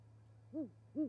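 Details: Great horned owl at an osprey nest near Charlo, Montana, on a winter night (20 January 2020), where a pair brings prey and mates: two deep, soft hoots about half a second apart, each gently rising then falling, over a steady low hum.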